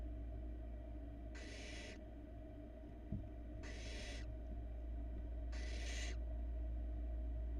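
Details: Youngest barn owl nestling on a Florida nest cam, swallowing a large rat in 2022; three rasping, airy hisses, each about half a second, spaced roughly two seconds apart, with a constant low electrical hum and one soft knock.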